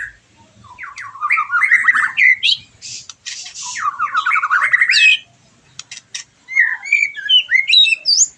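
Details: Caged white-rumped shama singing after moulting: bursts of varied whistled and harsh notes sweeping between mid and high pitch, with rapid rattling trills, phrases separated by short pauses.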